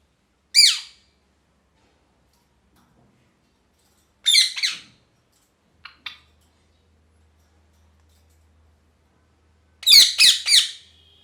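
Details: Parrot calling happily with isolated sharp high chirps spaced several seconds apart, two faint clicks, then a quick burst of four harsh chirps and a short whistle; otherwise near silence.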